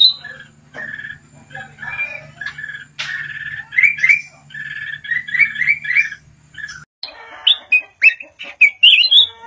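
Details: Several bulbul-type whistled phrases from a caged red-whiskered bulbul, repeated bursts of rolling, slurred notes over nearly ten seconds, with a steady low hum during the first part.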